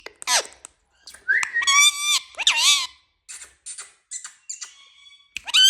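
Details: Indian rose-ringed parakeet talking: sharp high squeaks alternate with harmonic, voice-like syllables and a rising squawk, separated by short pauses, ending on another shrill note.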